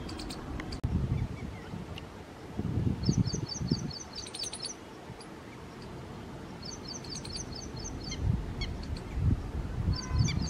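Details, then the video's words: A red-wattled lapwing gives short bursts of sharp, high, rapidly repeated call notes, several seconds apart, over heavy low wind rumble. "Red-wattled lapwing Call | टिटवी चा आवाज"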